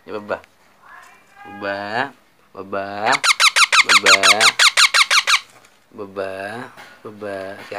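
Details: Baby parrot bursting into a rapid series of about fourteen rasping squeaks amid loud, overlapping human speech indoors.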